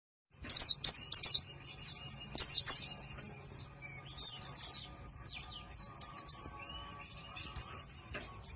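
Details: White-eye singing in a masteran recording made for training birds: short, loud, high zigzag phrases spaced about every one to two seconds, with soft chirps and a faint low hum between them.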